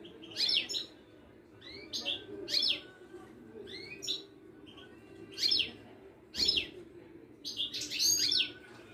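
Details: Caged Moroccan Widani goldfinch, from a Casablanca bird market, sings bursts of bright twittering every second or two. The bursts are bell-like chirps and quick rising slurs. A brief low knock is heard midway.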